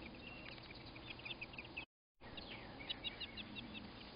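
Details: American robins during a crow's attack on their nest, giving quick runs of clipped high notes in short bursts, a gap, then another tight string of five or six sharp chips over faint background noise.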